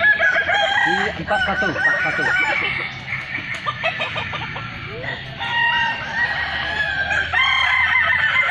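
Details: Balenggek roosters at a crowing festival in Kota Solok, many birds crowing at once in overlapping harmonic phrases, some with short stepped notes, with a busy crowd-like background.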